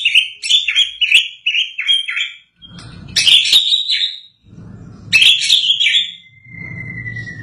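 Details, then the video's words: White-rumped shama singing after its moult: loud whistled phrases with quick warbling slurs and sharp chirps, broken by short pauses, ending in a long, thin, slowly falling whistle over a low background hum. "Burung Murai Batu Gacor l Terapi Murai Batu Habis Mabung"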